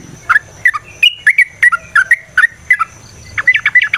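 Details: Yellow-vented bulbul (trucukan) provoking song in fighting style; loud bubbling two-part notes repeated briskly, ending in a quick cluster of chirps.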